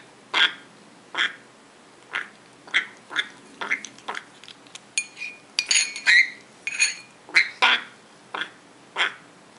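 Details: African grey parrot chick, eight weeks old, begging while being hand fed, June 2012; a steady series of short raspy calls about every 0.7 seconds, some carrying faint tonal overtones, in a quiet indoor room.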